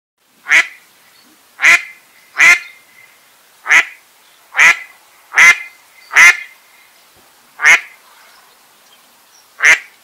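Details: Duck quacking: loud, harsh, nasal quacks given singly at irregular intervals of about one to one and a half seconds, nine in all, against a quiet background.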